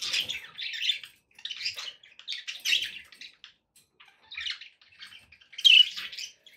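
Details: Pet budgerigars give clusters of rapid, raspy, high chirps, about one burst every second, with a brighter squeaky note near the end.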